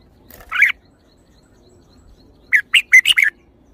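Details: Red-whiskered bulbul singing a single warbled note, then after a pause a fast run of five clear, slurred whistled notes in quick succession, over a quiet background.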